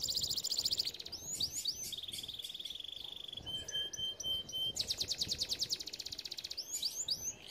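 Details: Canary training song made of contrasting sections: a fast high trill, sweeping slurred notes, a level buzzy tone, a thin pure whistle, then a rapid pulsing rattle and more swoops.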